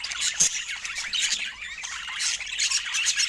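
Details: Pet budgerigars chatter in scratchy squawks and thin rapid chirps, swelling and fading in loose bursts.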